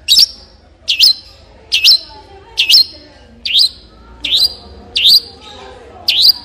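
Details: Long-tailed shrike giving one sharp, squeaky note again and again, roughly every second, each note bright and slightly rising, the rest quiet.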